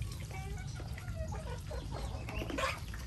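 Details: Chickens in a mixed flock with ducks on a rainy day during Typhoon Noru: short clucks with ringing harmonics scattered through the clip over a steady low rumble of rain, a voice faintly behind.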